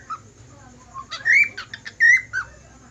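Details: Budgerigar whistling: a few soft short notes, then two loud, clear whistles that slide upward and level off, each followed by brief chirpy accents, over a quiet indoor background.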